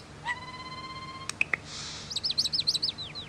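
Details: Common starling song beginning with a steady, level whistled tone, two pops, a hissy burst, then a quick string of squeaky, looping high notes.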